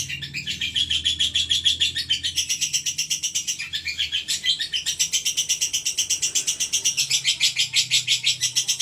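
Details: Pet female lovebird of the fighter kind gives a long run of sharp, buzzy high notes, pulsing about twice per second, briefly thinning partway through before resuming at full strength, with a soft low hum behind.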